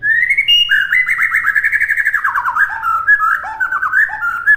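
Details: White-rumped shama singing on a master recording meant for imitation: a long, loud, fluid warble of rapid trilled notes that slides up and down in pitch, continuing without pause.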